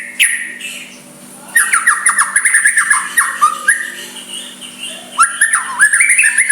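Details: White-rumped shama giving a soft song meant to provoke a rival into replying, with varied whistled phrases and rapid slurred notes around the middle, plus high thin notes and a faint steady hum.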